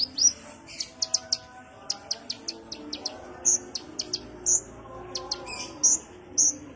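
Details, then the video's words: Kolibri ninja sunbird used as a relaxed lure: a run of crisp, high single chirps spaced about a quarter second apart, mixed with longer, slurred high notes, above a faint hum. "pancingan konin suara santai"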